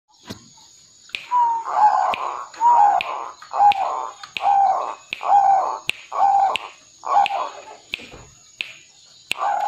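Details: Tame zebra dove singing vigorously: soft, mellow cooing phrases near one pitch, each a quick cluster of staccato notes, repeated roughly once a second, nine phrases in a row, with a steady high hum in the background.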